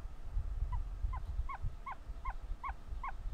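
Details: Hatching ostrich chick peeping from inside its egg: seven short descending notes, quieter at first, then louder and evenly spaced about every third of a second, against a low rumbling background.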